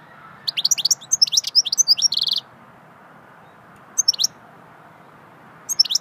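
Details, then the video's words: Goldfinch song in the swittey style: a lively run of high twittering and whistled notes ending in a short buzzy trill, then silence, then two brief twittered fragments spaced apart; faint background hum. "Singing swittey goldfinch song"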